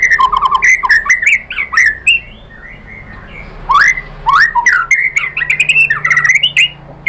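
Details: White-rumped shama singing to provoke other birds: varied loud whistles, squeaks and slurred notes in bursts separated by short quieter gaps.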